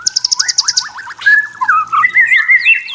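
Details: White-rumped shama from the forest opening with a rapid series of high clicks over lower upslurred notes, then a long pure whistle and rolling whistled phrases.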